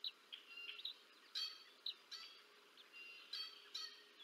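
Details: Feeding time for two bald eagle chicks at the Decorah North nest, 30 March 2024. High, piping chirps and brief squeaky notes come in irregular bursts, some doubled, with short gaps between them.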